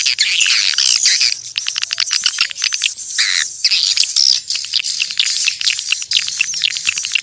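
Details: Natural swiftlet calling sound for attracting the birds: shrill chirps open, then a fast series of sharp clicks, then more high twittering and squeaks from several birds.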